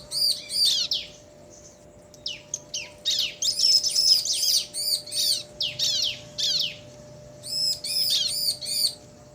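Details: Bar-winged prinia male and female answering each other in a ngobra-style exchange: bursts of high, sharp, arched chirps, fast repeated notes in runs of about a second, separated by short pauses, with a faint steady hum beneath.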